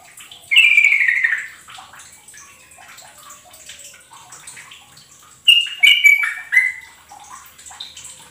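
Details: Yellow-vented bulbul singing, used to draw out and train kept birds: a rich gurgling phrase falling in pitch, a pause, then a second run of chuckling bubbly notes.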